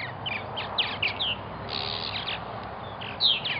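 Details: Busy purple martin colony in Melbourne, Florida, with several birds giving short rasping chirps and downslurred notes, overlapping in a steady chatter above low background hum.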